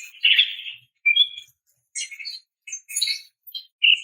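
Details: Female greater green leafbird calling a male: scattered short notes, a harsh buzzy burst, a brief whistle, then sparse high scratchy chips separated by silences.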